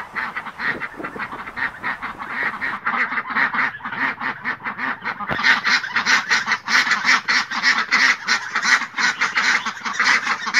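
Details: A flock of ducks quacking steadily, nasal calls coming quickly and growing louder and denser after about five seconds.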